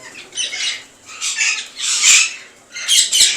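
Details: Rose-ringed parakeets (ringnecks) living together in a farm colony in Kot Addu, Pakistan, for about seven years without fighting. Four rasping, screechy squawks come in quick succession, loudest near the end.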